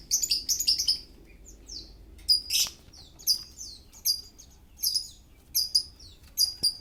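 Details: Oriental magpie-robin in full breeding condition, singing: bursts of high, slurred whistles and chattering notes in short phrases repeated about once a second, with occasional harsh buzzy notes over a low background hum.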